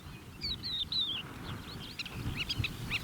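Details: Crested lark in the Manych steppe on 23 April 2024, singing its gentle song close by despite gusts of wind: a few clear slurred whistles falling in pitch, then short scattered chirps, over low rumbling wind.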